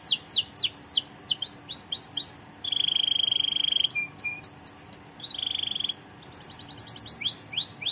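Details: Canary singing for song training, moving from looping high downward sweeps to a long buzzy level trill, short clipped notes, then rapid upswept syllables in quick succession.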